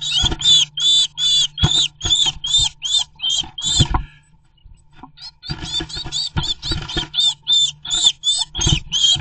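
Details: Two Eurasian blue tits defend their nest site against a great tit, sometimes fighting it together: harsh, high, squeaky notes, about two or three a second, with a short pause midway, against a steady low hum.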